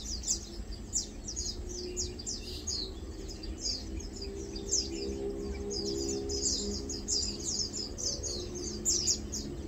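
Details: Lowland White-eyes feeding and preening, their sharp high twitters coming in bursts and growing busier midway, while a soft low tonal hum runs underneath.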